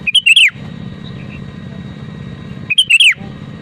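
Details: Sooty-headed bulbul, a strong singer whose song is used to make other bulbuls sing: two bubbly phrases of quick whistled notes dropping in pitch, about two and a half seconds apart, with a low hum between.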